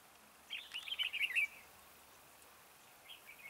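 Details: Red-whiskered bulbul singing as a trap decoy. One dense, bubbly, warbling phrase lasts about a second, followed after a pause by faint notes.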